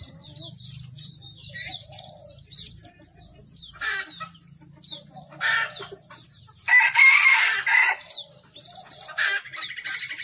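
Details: A blue-crowned hanging parrot used as a decoy bird to lure others gives shrill, high, buzzy bursts in quick irregular runs, with a faint low hum beneath.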